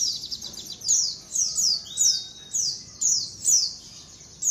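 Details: Colony of white-eyes calling as a lure: repeated bursts of high, buzzy downslurred chirps about every half second, with a single thin whistle between them.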